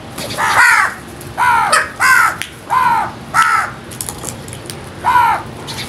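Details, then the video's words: Crows feeding: six harsh, arched caws, each about half a second long, come in an uneven series with short gaps between them. "Crows Sounds"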